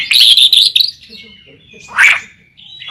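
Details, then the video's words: White-rumped shama song used as a lure to make other shamas sing: loud dense warbled phrases at the start, a thin sustained whistle, then a bright burst of notes near the end. "Masteran burung murai pancingan suara burung murai burung murai gacor"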